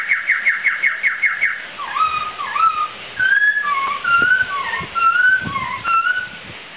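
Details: Laughingthrush song for training pet birds: opens with a fast series of about seven descending slurred notes, then varied clear whistles, swooping, level and wavering, spaced roughly half a second apart.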